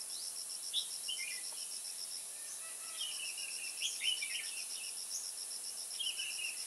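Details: Red-whiskered bulbul used as a decoy while trapping wild bulbuls in Kim Bôi, Hòa Bình, on 21 May 2018; short warbled, whistled phrases sit beneath a steady, rapid pulsing of insects throughout.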